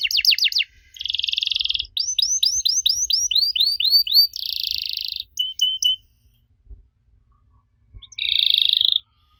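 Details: Canary song for coaxing young canaries to reply, with varied tours: fast descending chips, a harsh buzzy stretch, a run of curving whistled syllables, another buzz and short clipped notes, then near silence before a final buzzy burst.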